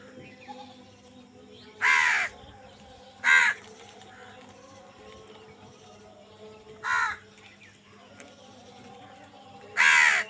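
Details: Crow squabbling for food, giving four loud, raspy caws spaced irregularly a few seconds apart, each short and harsh, with a low steady hum between calls.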